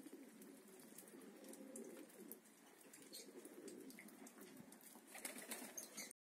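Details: Decorative white frillback pigeons with crests, kept at a pigeon farm; low soft cooing murmurs run through the first half, over a constant hiss of background noise and scattered clicks.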